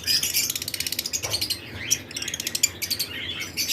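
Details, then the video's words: Breeding-season lovebirds in a flight cage produce rapid, evenly pulsed high chirps, many per second, overlapping into a thin buzzing chatter from several birds. "Lovebirds Chirping Sound"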